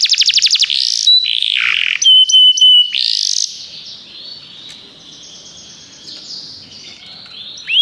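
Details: Canary singing, played to prompt a pet canary to sing: a brief fast trill, then clear whistled notes and buzzy phrases, fading into quieter, softer warbling before a final rising note.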